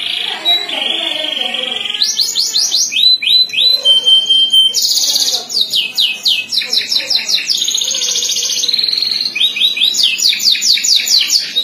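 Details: Domestic canary singing in a competition: a rapid, continuous high song of varied phrases, with buzzy rolling trills, sharp repeated chirps and brief pure whistled notes that change every second or so, sung without pause.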